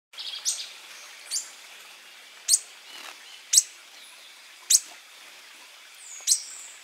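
Koepcke's hermit giving thin, very high, sharp squeaky notes, one roughly every second, against a quiet background hiss.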